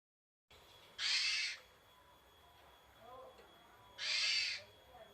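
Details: Javan pied starling giving its characteristic basic song: two loud, harsh, broadband rasping bursts about three seconds apart, each roughly half a second long, with faint softer notes between them.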